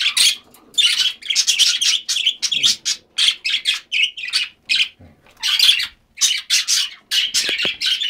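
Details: Pet budgerigars, given a small treat, chatter in quick, scratchy, high-pitched bursts, several per second with brief pauses, over a quiet indoor background.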